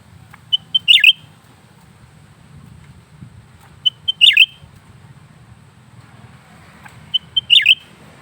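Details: Lesser green leafbird in a cage, singing nonstop: three evenly spaced high phrases, each a couple of brief piping notes running into a quick sharp twittering flourish, separated by quiet gaps with faint low hum.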